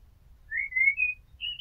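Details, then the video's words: Common blackbird (Turdus merula), a house blackbird, singing: a short clear whistled phrase gliding slightly upward, followed by a higher brief note; faint low rumble underneath. "Amsel Gesang - Merle Noir Chant - Blackbird Song - Mirlo Cantando"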